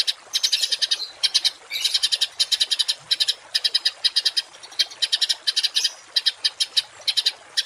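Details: Harsh 'tembakan kasar' bird song used to train home and contest cage birds. Short staccato bursts of scratchy high notes come in quick irregular groups, several per second, throughout.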